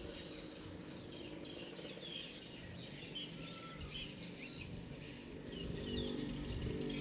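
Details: A wild blue-crowned hanging parrot comes closer, giving sharp, very high-pitched squeaky chirps in short clustered bursts, repeated several times with brief pauses, over a faint low background hum.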